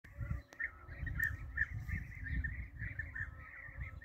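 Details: European bee-eaters during a hunt: a continuous chorus of rolling, purring trills from several birds, overlapping with no gaps, over a steady low rumble of wind and handling noise, with one sharp click near the start.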